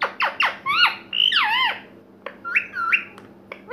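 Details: Rose-ringed parakeet indoors giving a rapid run of sharp, squawky, upward-bending and wavering chattering notes, several repeated in quick succession, with a faint steady hum behind.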